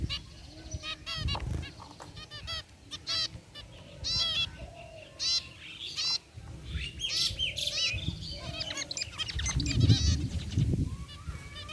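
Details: A group of white and grey zebra finches in an outdoor aviary gives nasal, trumpet-like beeps and chattering notes, overlapping at a quick, irregular pace over a low background rumble.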